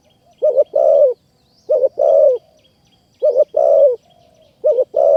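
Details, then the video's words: Spotted dove cooing in a decoy-trapping setting, high forest of Kanchanaburi, Thailand; a close, loud, low two-part coo, a quick burry double note then a longer vibrating falling coo, repeated four times about every one and a half seconds, very quiet background. "นกป่ามาเร็วมาก ดินแดนนกต่อ นกเสียงดี | ต่อนกเขาใหญ่ป่าสูงเมืองกาญ"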